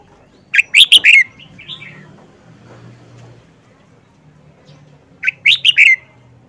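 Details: Red-whiskered bulbul, an old wild-caught cage bird kept four months, repeats its distinctive phrase twice about four and a half seconds apart, each a rapid burst of four bright whistled notes, with soft low rumble and faint voices between.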